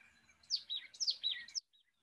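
Marsh tit song: a quick run of four or five high, bright notes that slur sharply downward, over about a second, with a faint low hum behind.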